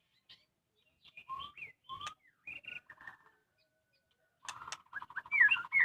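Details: White-rumped shama kept at home, singing in scattered short whistled notes and brief slurred phrases separated by pauses, then a louder burst of rapid repeated notes with a high sweeping whistle at the close.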